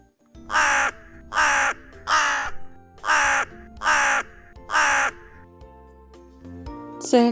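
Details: A crow, presented as a wintering bird in a children's birdsong guessing game, gives six harsh, hoarse caws, about one every 0.8 seconds, with faint background music and a brief sound at the end.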